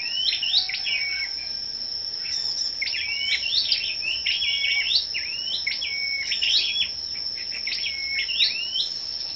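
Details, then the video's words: Several scarlet-backed flowerpeckers sing in competition on the morning of 10 May, with rapid, high, tinny phrases of clipped rising and falling notes, repeated about five times with almost no pause, and a steady shrill tone behind. "Những Chú Chim Sâu Đầu Đỏ Siêng Hót Đấu"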